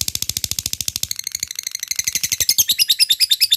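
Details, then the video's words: Fast chattering ngekek of a lovebird, a lure for fighter birds: dense harsh pulses that slow slightly and turn more ringing toward the end, with thin whistled accents over the rattle. "Pancing labet fighter langsung ikut ngekek gacor dengan suara burung lovebird satu ini"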